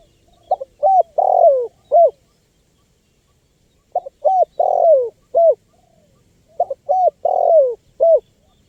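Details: Spotted dove call used to attract wild birds: three evenly spaced phrases of brief coos, a long falling coo and a closing short coo, in otherwise quiet surroundings.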